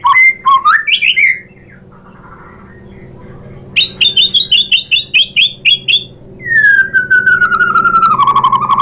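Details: White-rumped shama mixing whistled slurs, a series of sharp repeated high chips, then a long descending rattling trill; loud song meant to get other shamas singing in reply.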